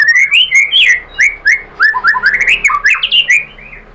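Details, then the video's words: Energetic white-rumped shama song from an Indonesian lure meant to provoke singing: a continuous stream of varied, clear whistles that slide up and down, with short pauses between the notes. "bikin NYAUT GACOR !! MURAI BATU jadi NYAUT GACOR BONGKAR MATERI ¦ PANCINGAN MURAI ¦ SHAMA BIRD"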